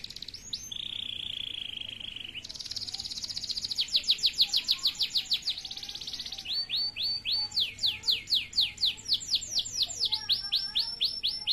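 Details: Male canary singing a varied song: a long low buzzy note, then fast sections of repeated high sweeping notes, each phrase switching to a new rapid repeated element.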